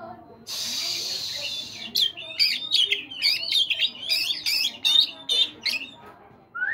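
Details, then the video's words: Caged Oriental magpie-robin in morning song; a hissing noise opens, then a fast series of clear whistles and scratchy, buzzy notes roughly every quarter second, ending on a rising whistle. "terapi kacer pagi hari PANCINGAN kacer biar cepat bunyi"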